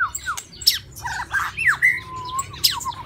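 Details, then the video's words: White-rumped shama in a bird cage during the mating season: a busy jumble of short whistled slurs and sharp high notes, with overlapping chatter and some low background rumble. "Suara Murai Batu di kandang burung"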